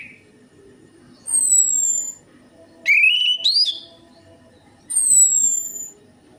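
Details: Orange-headed thrush song used as a lure for a bird that is slow to sing: high thin falling whistles spaced about two seconds apart around a short rising, warbled phrase, over a low background hum.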